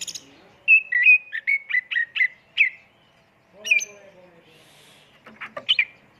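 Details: Oriental magpie-robin singing as a lure in 'tembakan' full-filler style: a fast run of about eight short whistled notes, then a loud sharp call and a cluster of quick chips.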